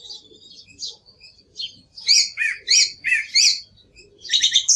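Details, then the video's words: Song thrush repeating the same crisp two-part phrase three times in a row, with quieter twitters before and a fast chattering phrase at the end. "Sonido del Zorzal Comun - Sturz cantator - TURDUS PHILOMELOS"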